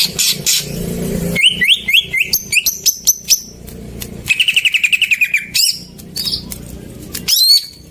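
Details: Greater green leafbird singing, as a lure for birds that have gone silent: varied sweet notes, upslurred whistles repeated in a quick series, then a fast run of chips, with sharp high flourishes between phrases.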